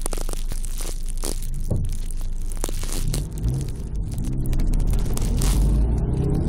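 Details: Loud broadband clattering and crunching over a steady low rumble, like objects being knocked about indoors, with no animal call.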